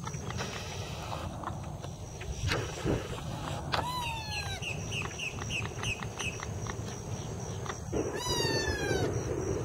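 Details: Purple gallinule family with their baby at South Lake Howard Nature Park, Winter Haven, Florida; adults calling to the young with nasal, downslurred calls, each followed by a quick run of short clucking notes, over steady low rumble; Purple Gallinule.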